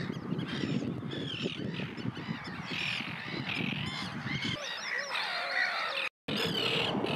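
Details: Several common terns calling in Russia: grating, drawn-out harsh cries and shorter chattering notes overlapping, with a heavy low rumble that drops away midway, leaving the calls clearer, then a brief break.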